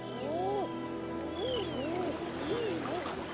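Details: Mating common eiders on Frederiksö, east of Bornholm in the Baltic Sea, in early May, while females seek nest sites, give soft, crooning swooping 'ah-ooo' calls about one a second, over background music. Common Eider.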